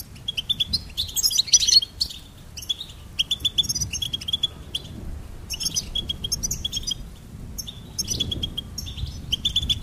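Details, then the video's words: Goldfinch song as repeated clusters of high, tinkling chirps. Each burst is made of rapid stacked notes with short silences between, plus an occasional busier twittered flourish. The background is fairly quiet. "Charming Goldfinch Peep"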